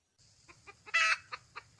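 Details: A wild red junglefowl hen calling for a male: a few spaced clucks, then one loud, harsh squawk, followed by more short clucks.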